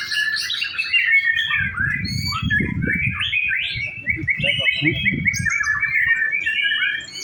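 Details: White-rumped shama, practice singing contest: a chain of quick whistled notes at steady middle pitch with high accents, plus low thumps and rustling in the background.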